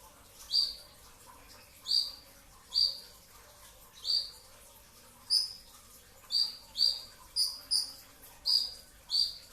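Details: Brown-throated sunbird singing in the dense two-note 'tembakan' style during sahur before dawn: about eleven sharp, high, piercing notes at irregular gaps, some doubled, over quiet background hiss.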